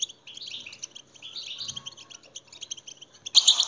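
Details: European goldfinch song used to stimulate caged goldfinches: soft rapid twittering phrases, ending in a sudden louder, harsher burst of chirping.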